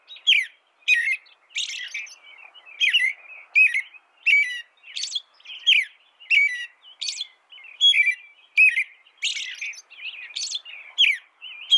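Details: American robin in continuous song, a steady stream of rising and falling whistled phrases mixed with high squeaky flourishes, repeated more than once per second.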